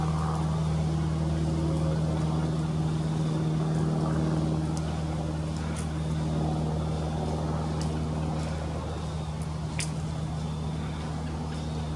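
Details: A steady low engine drone with faint clicks and rustles, and no animal calls.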